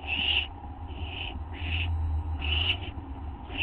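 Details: Barn owl owlets begging as they are fed at 5:59 AM on August 15, 2011; harsh, hissing rasps near the upper-middle register, four bursts about half a second long with short gaps, over a steady low hum.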